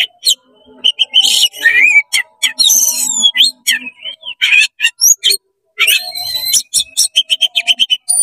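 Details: Fast-singing oriental magpie-robin, tail open, in 'konslet' style meant to heat up other magpie-robins: dense scratchy chatter mixed with whistled slides and a long rising whistle, then a quick series of sharp chips.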